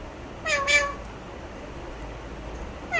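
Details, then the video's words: An Alexandrine parakeet gives a short, rich, meow-like harmonic utterance that bends slightly in pitch. A faint second sound begins at the very end over quiet background hiss. "চন্দনা টিয়া পাখির কথা শোনো"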